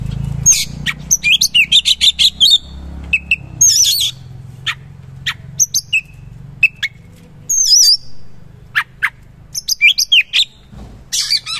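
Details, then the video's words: Oriental magpie-robin in full energetic song: high whistled phrases and sharp rapid repeated notes in a series of clicks, varied and loud, with a low hum underneath. "KACER GACOR MATERI KASAR ROLL TEMBAK ISIAN MEWAH"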